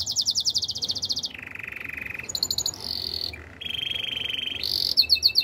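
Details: Spanish Timbrado canary alternating high rapid trills with lower rolling buzzes, a brief metallic stutter, a sustained mid-pitched trill and a closing burst of sharp repeated notes.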